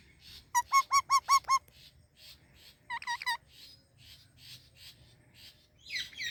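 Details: Indian ringneck parakeet with Alexandrine parrots: five loud harsh calls in a steady row, a shorter burst of four a second later, and soft chirps continuing between them.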